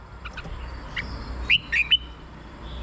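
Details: A short burst of three clear chirpy red-whiskered bulbul notes, part of song for decoying or exciting caged birds, over constant low background hum.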